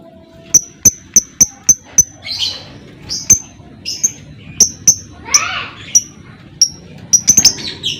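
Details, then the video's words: Lovebird ngekek sound meant to provoke other lovebirds into singing: a row of very high, sharp ticking notes repeated rapidly, then scattered ticks mixed with softer, rushing chirps. "PANCINGAN Burung Lovebird CEPAT PANAS Lanjut Lovebird Akan NGEKEK"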